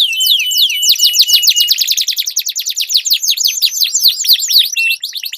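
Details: Duelling canaries deliver a long roll: an unbroken, very fast trill of steep down-slurred notes with a second voice layered higher, a thin whistle running beneath at the start.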